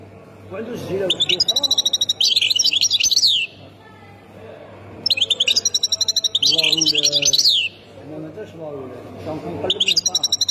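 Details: European goldfinch singing in a Khemis Miliana style, Ain Defla province, Algeria: two long bursts of bright, high twittering with rapid trills and buzzy notes, separated by a pause, with faint low murmuring underneath.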